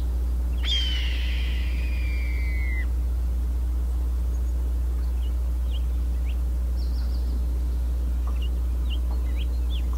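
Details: A female red-tailed hawk perched on a power pole in Richmond, BC, Canada, in June 2018, gives one hoarse, piercing two-second scream that slides downward, over a steady low rumble with faint small-bird chirps.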